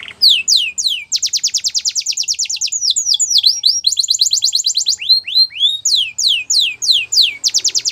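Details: Belgian canary singing for training purposes: rapid trills of steep downward sweeps, a quick rattling roll and looping swooped notes, delivered continuously and loudly.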